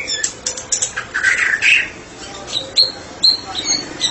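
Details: Murai batu (white-rumped shama), a therapy specialist, in ngeplong song: harsh buzzy chattering notes and a rough burst in the middle, followed by sparse high whistles and sharp clicks.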